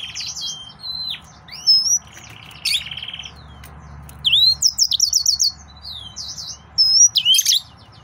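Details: Excited male yellow-fronted canary in lively song, mixing clear slurred whistles with rapid chattering runs of short repeated notes and a sharp buzzy burst, phrases coming in bursts separated by short pauses.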